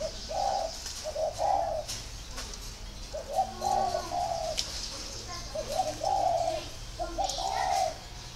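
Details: Spotted dove from a dove-breeding garden in northern Vietnam, giving a series of soft, mellow two- and three-note coos that repeat about every one to two seconds, with steady background hiss and faint talking.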